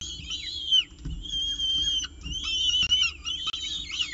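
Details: Peregrine falcon with breakfast at the CSU Orange nest on 19 October 2018: sustained, thin, quavering whines with small pitch bends, nearly unbroken over a few seconds.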